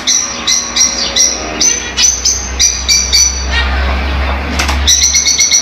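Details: Lovebirds, small colourful parrots, presumably pets, giving sharp high chirps and squeaky notes in quick bursts, several birds calling over one another with a steady low hum beneath.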